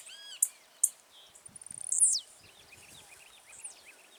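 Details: Blue-black grassquit singing in the wild from a branch: two sharp high notes, then a quick accelerating buzzy series rising into a loud, high, sweeping note. Faint chirps from other birds follow.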